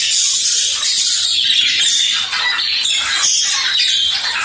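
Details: Budgerigars chatter in a dense, continuous warble of high, scratchy chirps and squawks, played to stimulate budgies to play and be active.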